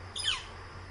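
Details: A single northern flicker call recorded quite close in the morning, about 10 am, a brief harsh note sliding steeply downward, over faint background hiss and a low hum.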